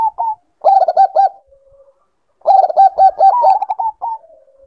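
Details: Breeding-condition zebra dove, Bangkok type, with short cooing notes leading into two dense phrases of rapid pulsed coos. The longer second phrase ends in a trailing soft low note.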